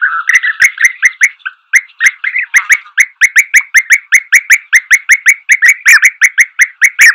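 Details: A European bee-eater gives a rapid run of liquid, rolling 'prruip' notes, several per second, with sharp clicks between them.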